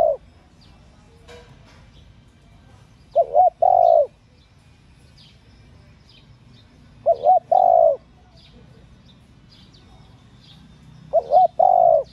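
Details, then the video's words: Spotted dove female cooing to stimulate male doves. Three even phrases, each two quick notes and a drawn-out coo, repeat roughly every four seconds, with faint high chirps from other birds in the background. "Tiếng cu gáy mái kích mồi tập bổi,kích bổi ức chế gáy"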